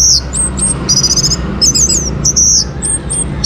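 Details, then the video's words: Orange-headed thrush song, played to prompt other birds to sing: a series of high, clear whistled phrases with quick slurred and trilled notes, separated by short pauses over a low background hum. "KICAUAN ANIS MERAH UNTUK PANCINGAN AGAR BURUNG IKUT BERKICAU"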